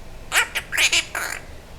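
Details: Pet Quaker parrot indoors, talking: a few quick squawky speech-like syllables, apparently imitating "pretty bird", with a woman praising it between phrases.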